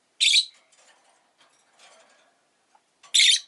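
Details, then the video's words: Rosy-faced lovebird uttering two loud, hoarse, shrill chirps about three seconds apart, with faint soft rustling and murmurs in between. "Lovebird Chirping Sounds"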